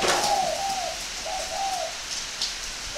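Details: Spotted dove from northern Vietnam at a breeding farm gives mellow, level coos in a short phrase, over a broad hiss like rain and a few faint chirps.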